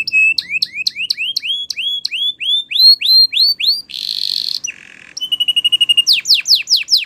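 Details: Training song of a Spanish Timbrado canary, with repeated rising whistled notes in steady series, a brief harsh buzz, a low rattling roll, a thin high trill and quick descending sweeps.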